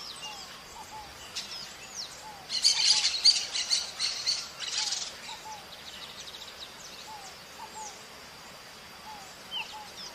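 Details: Parakeet (maritaca) in the wild: a loud, harsh burst of grating screeches lasting about two seconds amid a chorus of thin, high whistles and chirps from other birds in the background.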